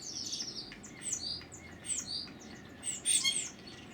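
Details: A bird calling from a balcony with varied, funny noises. Quick high whistles and chirps tumble together, some swooping downward. A brief louder burst comes near the end, all over a constant low hum.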